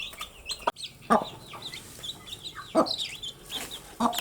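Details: Baby chickens chirping through their day: high, down-slurred peeps, some sweeping and drawn out, from several chicks at once, with occasional loud broadband knocks.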